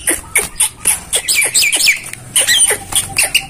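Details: Black-winged myna master song: harsh squawks and buzzy notes in rapid series, with downward sweeping chirps, followed by a man's greeting.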